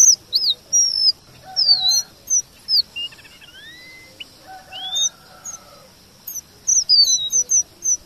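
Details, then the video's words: Varied red avadavat song for kacer training: high looping and falling whistles, a brief buzzy trill with rising sweeps in the middle, then a fresh run of rapid thin pips and slurs. "Emprit geni STRAWBERRY gacor MASTERAN kombinasi BURUNG KACER"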